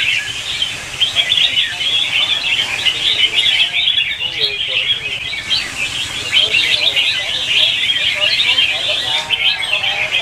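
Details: Morning duelling song of red-whiskered bulbuls used to stimulate caged birds. An unbroken, crowded chorus of bright chirps and warbles, briefly dipping around the fourth and ninth seconds.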